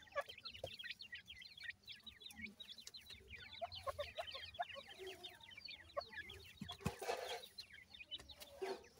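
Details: Feeding time for captive partridge (teetar) babies kept with Iranian pheasant chicks: a thick, steady chorus of shrill, down-sweeping cheeps from numerous chicks, plus occasional soft rustles and knocks.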